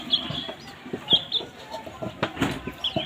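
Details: Domestic baby chicks feeding. A few thin, high peeps come at irregular intervals over steady pecking and tapping noises.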